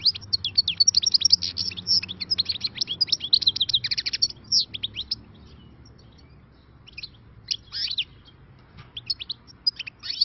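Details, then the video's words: Wild-caught European goldfinch, newly trapped, singing a fast jumble of high twittering notes and trills, bursts densely for the first five seconds, then sparser phrases with short gaps; faint low background hum. "غناء خلوي صيد جديد _ غناء حسون بري"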